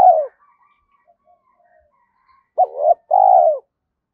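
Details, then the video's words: Spotted dove used as a lure: the tail of one coo, then soft faint chirping, then a full two-note phrase of a short rising coo and a longer level coo. "Tiếng chim cu gáy thổ pha thúc cực đỉnh"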